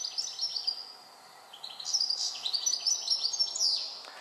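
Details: European goldfinch, an introduced finch on the Otago Peninsula, New Zealand, sings a quick, tinkling, bubbly run of high twittering notes with liquid trills, pausing briefly before resuming.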